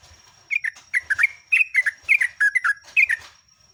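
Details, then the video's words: Captive Sooty-headed Bulbul singing, recorded as a lure to train other caged birds: rapid run of short, clear, chirpy whistled notes, paired and dropping in pitch, over three seconds, with a steady high electronic whine and soft low thumps. "JOGJOG/TRUCUK GACOR, KICAUAN MANTUL"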